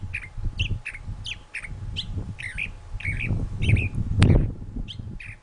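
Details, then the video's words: A thrasher singing: a varied series of short, slurred phrases, chirps and squawky notes, several per second, over low rumbling background noise with a brief loud thump near the end. "Thrasher Singing"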